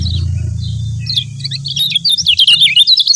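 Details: Lombok yellow white-eye (kecial kuning) master/lure recording: a rapid jumble of high, thin chirps and twittering notes, about three or four a second, over a low hum at the start.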